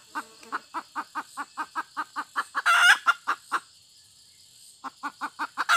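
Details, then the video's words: A hen clucks in a quick steady series, peaks in a harsh squawk, pauses for about a second, then starts clucking again. "suab poj qaib tsauj seev dib tuaj zoo tshaj 2021"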